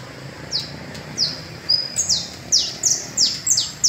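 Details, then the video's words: Canario basto trill recorded in the Las Delicias valley, a series of bright, high whistles each gliding steeply downward, coming faster and louder toward the end, over soft background noise. "TRINO DE CANARIOS BASTOS EN EL VALLE LAS DELICIAS"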